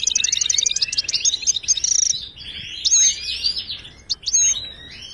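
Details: European goldfinch of Moroccan stock singing, a recording played to train silent caged birds: loud fast twittering trills opening the phrase, then liquid slurred notes and sharp high whistles.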